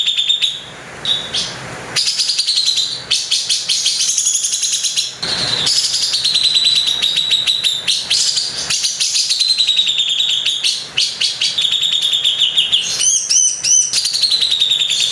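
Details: Long run of rough-shot chatter from a grey-cheeked bulbul (cucak jenggot), Bali, used for training songbirds: dense high buzzy trills rising and falling, cut by harsh noisy breaks and scratchy bursts.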